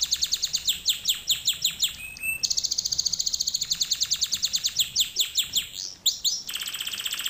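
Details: Canary song recorded as a training lesson for canaries to learn from: fast dense trills and rolls of rapidly repeated high notes, a brief low whistle near two seconds, then longer rolling tours and a final rapid buzzy trill.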